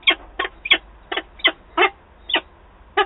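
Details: Nesting peregrine falcon in Wałbrzych, Poland, recorded 8 August 2022 during a meeting of birds: eight loud, rasping single notes repeated roughly every third to half second, evenly spaced and steady.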